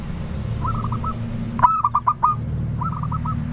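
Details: Active local zebra dove singing as a lure, prompting a noisy chorus of replies: one loud burst of staccato coo notes between softer, more distant rolled coos, over a steady low hum.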